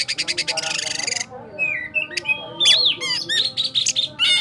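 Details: White-rumped shama, kacer cakrawala from Sukabumi, opens with a fast even train of sharp ticking notes, then pauses before varied whistles, upward-sweeping notes and buzzy bursts delivered in a rolling style.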